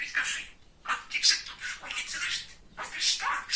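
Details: Talkative male pet budgerigar chattering indoors, loud scratchy speech-like syllables and warbled bursts following one another closely, with a few brief gaps.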